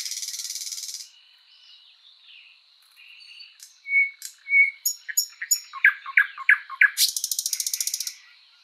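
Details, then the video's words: Sprosser singing in a spring forest, starting with a harsh rattle, then soft pure whistles building into a series of loud sharp chirps and a fast dry rattle at the end. "Bird sounds Nightingale bird singing"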